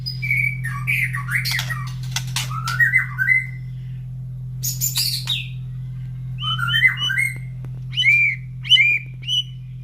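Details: Morning song of a caged White-rumped shama beside breeding cages where other birds answer: varied warbled and whistled phrases, some harsh chattering notes, then clear rising-falling whistles near the end, over a continuous low hum.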